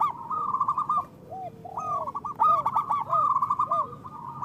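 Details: A loud local zebra dove, kept as a lure for catching and encouraging other doves to sing, delivers stuttering trilled coos, a short quiet gap, then a rush of rolling phrases with soft descending notes woven in.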